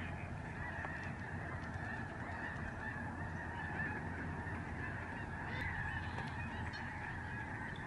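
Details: Thousands of migrating Lesser Snow Geese passing overhead at a protected Canadian bird sanctuary in November 2011, a continuous wall of nasal honking from countless birds, with no pauses, over a low background hum.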